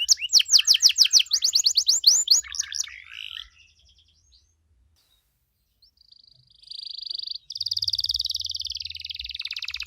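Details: Canary in full 'gacor' song to provoke other canaries: a fast rolling trill of repeated notes that fades, a near-silent gap, then a long steady buzzy whistled trill with faint low hum.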